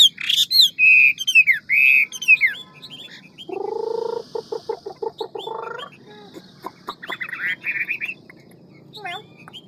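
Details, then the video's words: Hwamei in a fast, many-voiced wild-forest style song: loud looping whistles open, then a low harsh buzzy stretch with broken notes and further whistled phrases, over a steady background hiss. "Họa mi ngũ trường giọng rừng mau mỏ nhiều giọng"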